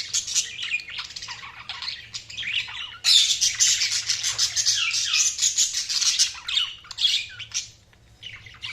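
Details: Budgies chirping in a continuous busy warble of high, scratchy, squeaky notes and rapid twitters, growing louder and denser partway through and then breaking into separate bursts.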